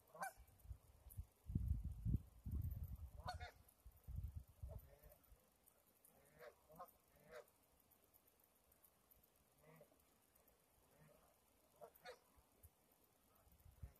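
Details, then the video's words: Scattered goose honks at the Similkameen River, recorded February 20, 2018, several short nasal calls, some faint and distant, spread across the stretch, with river rumble loudest early on. "Similkameen River and some geese"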